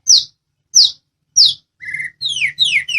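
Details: White-rumped shama of the Medan type giving a training song to draw answers from other birds: three sharp, high, down-slurred whistles about 0.6 seconds apart, then a buzzy flat note and quick falling whistles.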